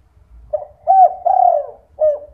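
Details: Single spotted dove phrase used as a night-time lure so that other doves start to call: a soft short coo, then two sustained throaty coos and a brief falling final note.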